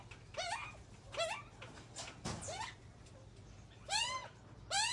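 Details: A group of young Australian magpies being fed by their mother give nasal, wavering begging squeals, about five in five seconds at an uneven pace, over a low hum.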